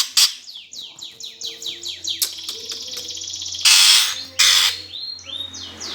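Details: 'Gereja tarung' fighting song of a greater green leafbird, used to goad competition birds: a quick series of descending whistled sweeps, chattering trill, then two loud harsh rasps and a final rising-falling whistle.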